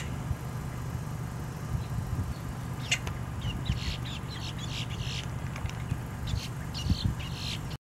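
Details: Boat-tailed Grackle recorded 10 October 2022, giving harsh, rasping chatters and clacks in short bursts through the middle and end, over a constant low rumble of wind or traffic.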